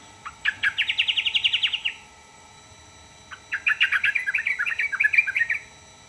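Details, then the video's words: Sooty-headed bulbul delivering two lively phrases. Each is a quick series of rich, warbling notes, gently rising and then tailing off, with the phrases about three seconds apart. "burung trucukan manapun langsung nyaut dibuatnya"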